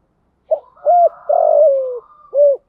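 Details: Spotted dove used as a decoy, calling to attract wild doves: one full coo phrase, a short hoot, a rounded coo, a long slowly falling drawn-out coo, then a final rounded note.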